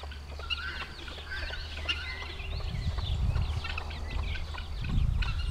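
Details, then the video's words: Baby chickens about a week old trailing their mother hen; a busy chorus of shrill falling peeps repeats several times a second, with low thumping and rumbling noise growing louder toward the end. "Baby chickens following mama hen"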